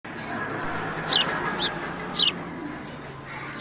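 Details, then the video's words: A sparrow gives four short, bright chirps that drop in pitch, spaced about half a second to a second apart, over a steady background hiss. "natural Sparrow Sound Effect | sparrow moment | sparrow sound"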